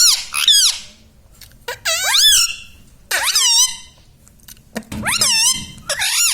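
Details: Pet Indian ringneck parrot, taught to say words such as mummy, papa and radhe radhe, speaks in short, strongly harmonic, sliding syllables in three or four bursts with quiet pauses between, indoors.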